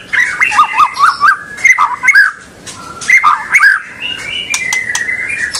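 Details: White-rumped shama song used to stimulate young birds into singing: repeated bouncing, undulating whistled motifs in quick series, pausing and resuming, with clicks and higher notes toward the end.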